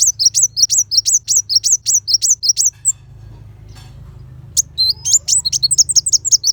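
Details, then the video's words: Kolibri wulung sunbird in a 'tembakan' style burst for shama training: a steady rattle of very high chirps about three per second, a brief lull with low hum, then rapid twittering resumes. "Pancingan Kolibri Wulung Full Tembakan Besetan Pedas"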